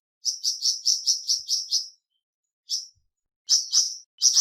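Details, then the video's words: Flamboyan bird giving a short run of sharp high chirps, then scattered single and paired notes after a pause; played to get a kept bird singing. "Terapi Cepat Bikin Burung Flamboyan Buka Paruh dan Gacor"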